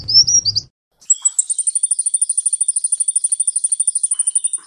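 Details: Sunbird song on a cage-bird training recording: a short high twitter, a pause, then a long even trill of very high rapid notes.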